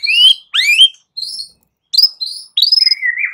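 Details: White-rumped shama fighting song: loud, clear whistled phrases, some sharply rising and some slurred downward, separated by short pauses, ending in a rapid trilled flourish and a lower warbled note.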